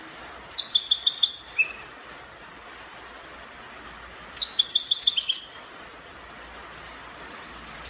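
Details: European goldfinch singing in the Spanish copia style, Morocco: two bright bursts of rapid, tinkling, twittering notes about a second long each, separated by several seconds of quiet with steady background hiss.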